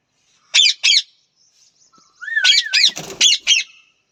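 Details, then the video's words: Parrot calling: two loud, harsh squawks, a pause with faint notes, then a wavy whistled note running into four more rasping squawks in quick succession. "parrot voice,natural parrot sounds,talking parrot,parrot natural sound,parrot natural"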